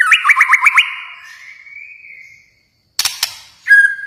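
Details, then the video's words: White-rumped shama from Kalimantan giving a quick series of rising chirps, a fading drawn-out whistle, then clicks and a clear flat whistle. "murai batu Kalimantan"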